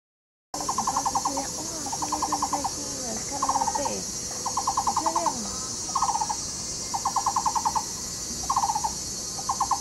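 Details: Taiwan barbet at Yixuekeng nature park, Taishan, Taipei County, where a pair excavates a tree-hole nest and duets in courtship; deep, monotonous 'kuo-kuo-kuo' notes in rapid bursts of about eight, repeated every one to two seconds, with faint low voices beneath.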